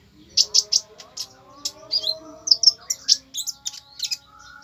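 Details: Konin in fierce bursts of song: sharp high chirps and short trills, loud notes about every quarter second, over a faint steady low hum.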